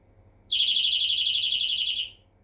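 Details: A single sustained, rattling trill from a European greenfinch, fast pulses at a level high pitch for about a second and a half, fading slightly at the end.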